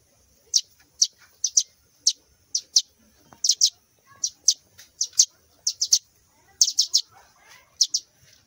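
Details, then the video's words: Fallen sparrow nestlings chirp steadily: high, clipped notes, often in pairs or triplets, about two dozen in all, against a quiet background. "canto de gorrion"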